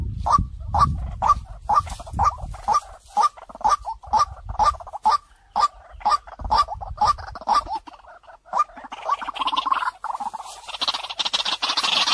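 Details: Luring call of a white-breasted waterhen, used to attract others: a long run of evenly spaced croaking 'kwak' notes about two per second, then breaking up into broad hissing noise over the last few seconds.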